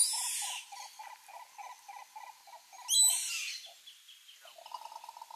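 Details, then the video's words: Green Ibis (Mesembrinibis cayennensis) in the Pantanal gives a rapid, rolling series of hollow mid-pitched notes, about five per second, broken by two brief bursts of loud hiss. "CORÓ-CORÓ (MESEMBRINIBIS CAYENNENSIS), GREEN IBIS"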